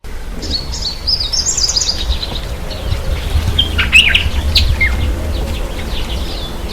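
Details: White-bellied sunbird taking a bath: thin, high trilled chips and short buzzy runs of notes, irregular and scattered over several seconds, with soft wing flutters and a steady low background rumble.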